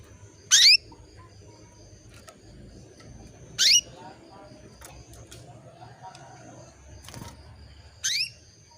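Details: Female canary calling for a male to bring him into breeding mood: three loud upward-sweeping calls spaced about three and a half seconds apart, with faint chatter and low hum in the background.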